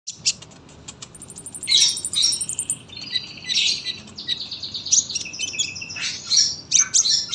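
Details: Sunbird in long, dense, actively sung song for tutoring young birds: high thin chirps, rapid trills and buzzy rattles, with a fast even ticking run early on and bright twittered bursts later.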